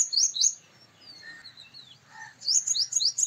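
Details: Male purple sunbird singing: two quick bursts of very high, rapid tinkling notes open and close the passage, with softer scattered chips and a couple of short mid-pitched notes in the quiet gap between.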